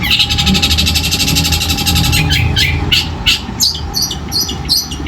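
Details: Trained long-tailed shrike, kept as a singing model for contests, pouring out a loud rough song of mimicked phrases: a fast rattling high trill at first, then separate sharp bursts, with a constant low hum and a faint steady tone beneath.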